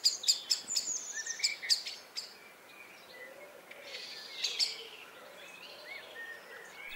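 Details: Common blackbird (Turdus merula) in June near village hay meadows, giving anxious alarm calls while a barn owl carries prey back to its nest; likely has a nest nearby. Sharp, high chinking notes in a rapid irregular burst, then softer scattered notes.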